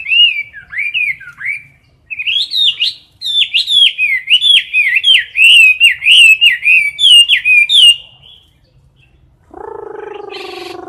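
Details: Chinese hwamei in a cage, competition singing up close: a run of loud, clear whistled notes in quick succession, wavering and rising, stopping abruptly, followed by a lower, harsher sustained sound at the end.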